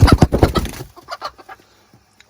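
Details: A broody Silkie hen on a Vermont homestead, upset and scolding her keeper one morning, gives a burst of harsh, rapid, low clucks and growls for almost a second, then softer scattered sounds trail off.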